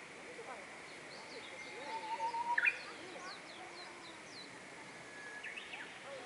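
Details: Japanese bush warbler in weeping plum trees at Kaminaka-cho, Toyota, Japan, giving a long low steady whistle that ends in a sharp upward flick, with scattered faint chirps of other birds around it.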